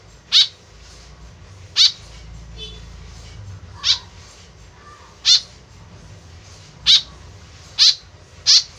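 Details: White-breasted woodswallow, tame, calling as a lure: seven scratchy descending notes at irregular intervals, with faint voices and soft background sounds between them.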